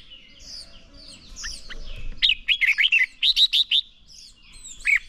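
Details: Red-whiskered bulbul singing for training toward fighting song: after soft background bird chatter, a fast run of about eight loud, clear warbled notes, then a single note near the end.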